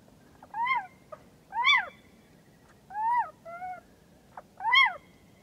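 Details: Series of rising-then-falling, nasal, mewing calls from a little owl, four main notes spaced about a second apart, one followed by a softer two-part note, over quiet background noise.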